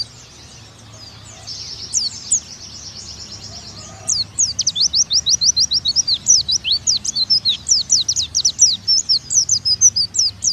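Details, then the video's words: Oriental white-eye, used as a master recording for nembak singing: soft, thin twittering at first, then from about four seconds a loud, rapid series of high, steeply slurred chirps that runs to the end. "Pleci Bakalan Nembak Pake masteran ini"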